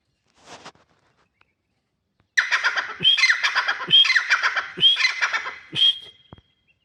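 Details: Grey francolin calling: after a faint opening note, four harsh, grating phrases repeated about once a second, each ending in a sharp high note, with soft clicks between.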